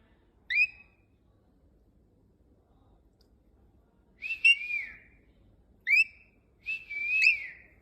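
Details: ['Pet cockatiel whistling while its owner tries to teach it whistles indoors. Short, clear whistled notes with upward sweeps come singly, then in a longer wavering phrase, separated by near silence.']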